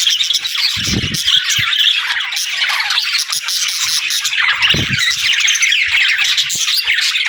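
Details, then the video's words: Continuous budgie chatter, a steady scratchy warbling of many overlapping chirps and twitters, with a couple of dull low knocks about one second in and again near five seconds. "Budgie Talking | Parakeet Singing"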